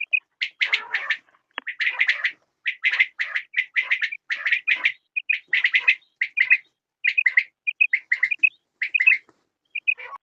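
Quail give rapid, bright chirping calls in dense bursts, repeated every half second or so with short pauses, as if several birds call together.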